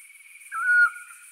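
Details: Eurasian scops owl in the Torrente Scrivia valley, northern Italy, April 2019 at dusk: a single short, clear whistled 'chiù' note, steady in pitch, with a faint continuous high hiss behind.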